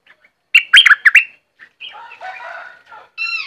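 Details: Streak-eared bulbul, southern Thailand: a quick burst of sharp, twanging notes, then softer scratchy chatter and a nasal harmonic call near the end.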